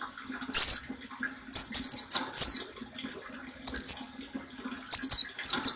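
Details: Caged-bird training song of an Oriental white-eye, 'nembak' style: a lone shrill chirp, then rapid runs of four high, falling twittering notes and further bursts, all above a quiet continuous low hum.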